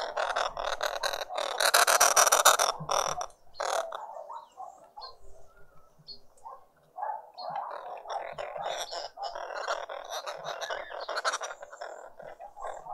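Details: Green woodhoopoes, a family feeding together in a Pretoria garden, South Africa, on a spring Sunday morning; a loud harsh chattering burst opens, then quieter scratchy cackles and chatter continue in uneven runs.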